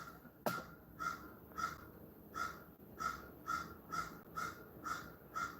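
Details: Crow calling very close in a backyard, probably right behind the house, heard from indoors: a steady run of about ten harsh, even caws spaced roughly half a second apart, after one sharp click near the start.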